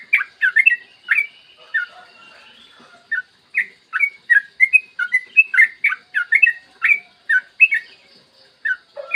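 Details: Long 'ropel' song of a yellow-vented bulbul recorded in the morning, meant to lure other bulbuls into singing. Sweet chirped notes, bright and rolling, come in quick sequences after a brief quiet opening.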